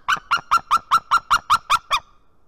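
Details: Warning calls of a female white-tailed eagle at the nest, Estonia, 19 March 2018, early morning at 7:04 am, recorded by a nest camera: ten evenly spaced, clipped yelping notes in two seconds, then silence.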